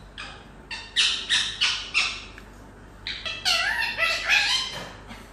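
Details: Pet rose-ringed parakeet, a talking bird, giving a series of harsh rasping squawks in short bursts, about four evenly spaced, then a longer run of buzzy downslurred calls, indoors.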